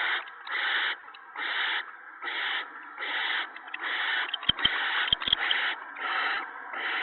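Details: Owl family at the nest on March 19, 2017, evening, with food brought to the mate and owlets. Steady, rhythmic, breathy screeches repeat roughly every seven-tenths of a second, with a few sharp clicks midway.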